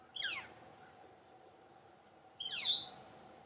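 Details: From its nest hole in a dead snag by a pond, a young northern flicker gives two loud, rasping calls that slide downward. The calls come about two seconds apart over a quiet, steady hum.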